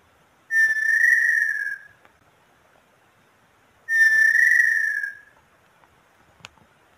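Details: Brazilian inhambu sururina (inhambu pé roxo) giving two long clear whistles about three seconds apart, each held level and sliding slightly down at the end, with a soft click afterwards and little else audible.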